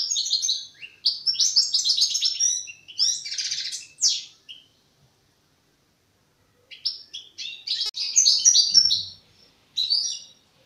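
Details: Young European goldfinch in its song-practice stage: four seconds of rapid twittering and buzzy trills, a two-second silence, then more high chirping phrases.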